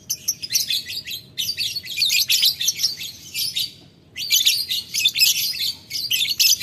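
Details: Lovebird calling a rival in the ngetik ngekek style: dense, harsh, high-pitched chattering bursts in two long runs separated by a brief pause near the four-second mark.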